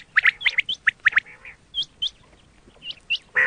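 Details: Quail sound meant for hunting: a run of rapid raspy chirps gives way to a few thin, rising whistled notes, then a loud harsh squawk at the end.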